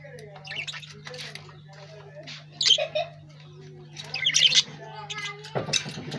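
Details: Lovebird chirping in short, scratchy high bursts separated by quieter stretches, with a constant low electrical hum underneath.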